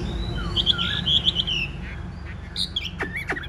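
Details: Chinese hwamei, big-bodied, singing while spreading its wings to fight: a few warbled whistled phrases and a rising slur, over a steady background hiss.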